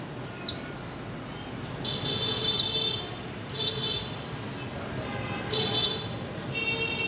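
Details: A female white-eye calls to spur mute birds into song. Bright, high, downward-slurred chirps repeat irregularly, layered with softer overlapping high notes and a faint steady tone underneath.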